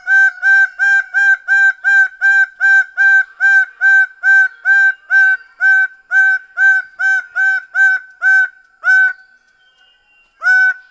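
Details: Greater bird-of-paradise in a rapid run of about twenty loud, harsh, honking notes, roughly two per second, then a short pause and one final note.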